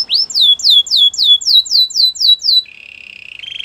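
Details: Belgian canary singing a row of quick descending whistled notes, about four a second, that sweep down and settle, then a soft low buzzing roll that swells toward the end.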